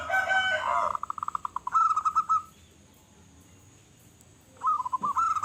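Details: Local zebra dove singing actively with a big voice: a loud burst, then a rapid run of even cooing pulses into a rolling trilled coo, a pause, and another rolling trill near the end.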